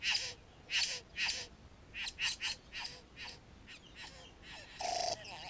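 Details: Satin bowerbird near a bower whose male tends it and its decorations, filmed with a GoPro Hero 3 nearby. Rasping, breathy bursts are repeated roughly twice a second, then a louder buzzy chatter near the end, with soft low slurred notes underneath.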